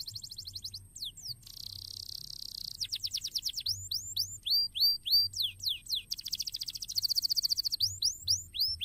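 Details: Canary singing in a cassava garden: rapid high trills and buzzy rolling tours alternate with runs of sharp downslurred whistled notes repeated about four times a second, all very high-pitched and continuous.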